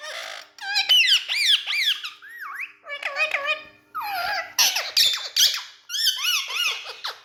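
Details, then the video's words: Talking Indian ringneck parrot with two other speaking parrots: bursts of squeaky, speech-like phrases with wobbling pitch and harsh squeals, separated by brief pauses, in a small room. "New Indian🌷Talking Parrot🎊With 2 Other Speaking Parrots"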